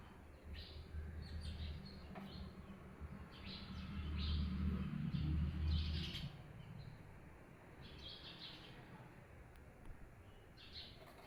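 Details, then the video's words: Birds at their hut give repeated high, short chirps in loose bursts, partly masked by a low rumbling background that swells midway through. "Birds Chirping at their beautiful hut"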